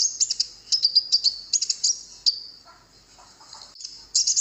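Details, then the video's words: Konin giving quick clusters of shrill chirps and a short trill, then a quiet stretch with faint lower sounds, ending in a fresh burst of high twittering. Recording serves to lure wild birds into replying. "masteran burung konin di jamin langsung nyaut burung denger suaranya ini"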